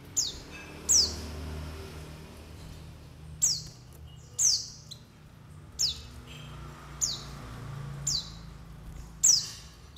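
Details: Calls of white-eyes, meant to lure wild birds and encourage them to open their beaks and call: a string of about eight very high, thin, downward-slurred notes at irregular intervals, with background rumble.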